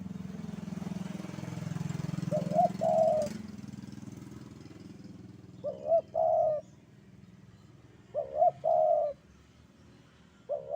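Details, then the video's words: Javanese spotted dove calling in the sandungan kuk-kuk style: three short coo phrases, each a quick double note then a longer hoarse coo, spaced about three seconds apart over a low steady rumble. "Derkuku Jawa Gacor Sandungan Kuk 2"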